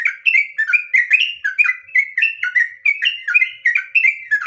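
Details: A gacor sooty-headed bulbul (trucukan) pours out long ngropel song for use as a lure: loud, dense bubbling whistles in unbroken succession, each syllable a short rising-falling slur.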